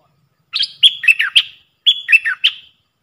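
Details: Puff-throated bulbul kept as a decoy bird, sound meant for teaching young birds: two close phrases of bright whistles and rapid bubbly, down-slurred notes, each under a second, with a brief gap between.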